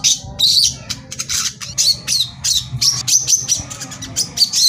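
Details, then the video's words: Korlap, the brown-throated sunbird, singing energetically as a provoking lure: quick, high, squeaky chirps and short twittering phrases come in tight clusters, with brief gaps between bursts over faint low rumble. "suara pancingan korlap gacor tembakan rapat"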